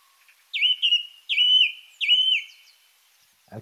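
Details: Song thrush song, shriller and more strident than a blackbird's, repeating one bright phrase three times in quick succession: a sharp down-slurred note running into a held clear whistle. A brief low thump follows.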